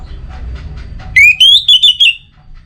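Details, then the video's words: Orange-headed thrush letting out a single phrase: a sharply rising clear whistle that levels off into a quick run of five choppy, bright whistled notes, after faint background murmuring. "Obat Gacor Burung ANIS MERAH Buat Burung Yang Lagi Malas Bunyi"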